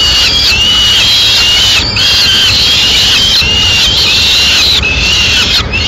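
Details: In Madrid, a male peregrine falcon arrives with a swift and feeds it to the chicks piece by piece. High, whining squeals continue steadily with short breaks every second or two.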